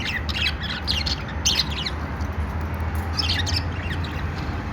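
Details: Budgies, described as making happy sounds: scattered short squawky chirps in brief clusters at irregular intervals over a steady low hum.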